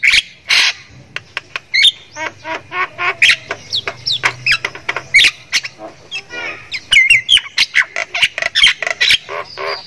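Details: Javan myna from Thailand, kept caged, singing energetically with a varied repertoire: scattered harsh chatters and squawks mixed with short twisting whistles, growing denser toward the end.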